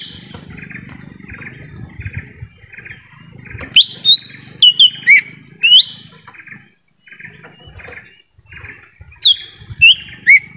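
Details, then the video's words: Wild lesser green leafbird in forest, used as a lure for wild birds, gives scattered loud whistled notes that sweep upward then drop, in short clusters over a steady hum of faint chirping and insects. "suara asli pikat cucak ijo mini di hutan"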